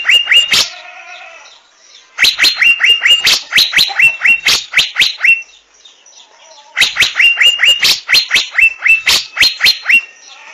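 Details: Asian fairy-bluebird: bursts of loud clicking notes, each ending in a brief level whistle, repeated rapidly in three runs separated by short quieter pauses.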